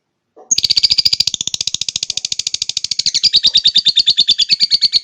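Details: Lovebird of the Palamas blorok colour type giving its long ngekek chatter: after a brief lead-in, a fast unbroken run of harsh, buzzy chirps, about twelve per second, held for over four seconds with slight shifts in pitch.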